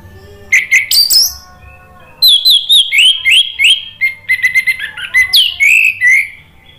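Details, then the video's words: Orange-headed thrush song used as a lure to prompt a silent or stressed kept bird to answer and sing: bright, varied whistled phrases with rapid slurred notes and trills in quick bursts. "Pancingan ANIS MERAH bikin NYAUT ikut BUNYI GACOR NGEPLONG"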